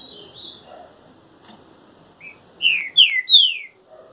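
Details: Trinca-ferro song given while moulting: soft high whistles at first, then a loud closing phrase of three downward-slurred whistled notes in quick succession.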